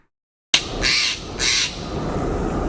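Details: Recording of a Steller's Jay, an outdoor bird living in Washington, giving two harsh, raspy squawks about half a second apart, over a low indoor hum.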